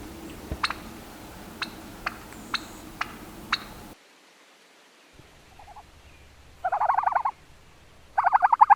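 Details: Turkey on a farm: after a stretch of sharp clicks and a short silence, two brief rattling gobble bursts sound out, the second a little louder.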